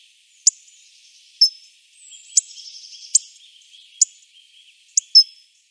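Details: Hawfinch calling with a run of about seven abrupt, high tick notes at roughly one-second intervals, with faint high twittering and whistles from other birds in the background.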